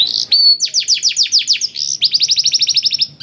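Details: Blackthroat-tutored canary, song played as a lure to make canaries sing; one slurred note, then a quick series of downslurred notes, finishing in an even faster, tighter trill.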